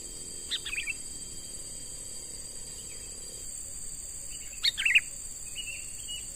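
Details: Two separate bubbly phrases from a young wild-caught sooty-headed bulbul being trained as a lure: a faint chirp near the start and a louder, fuller burst later. Both sit against an unbroken high insect whine.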